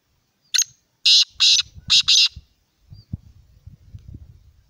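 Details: Kala teetar, the black francolin, calling: one brief sharp note, then two pairs of loud, scratchy, grating notes in quick rhythm, followed by faint low rumbling background noise.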